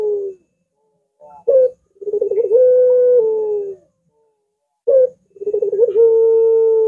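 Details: Long curving coo of a Barbary dove for training and luring other doves: a brief sharp note, then a bubbling stutter swelling into a long level hum that slowly dips, heard twice with quiet gaps between.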